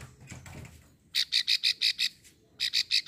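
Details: Plain prinia female giving the klik call used to lure males, Ulujami, Central Java. After a quiet start, six loud clicking notes, a short gap, then four more.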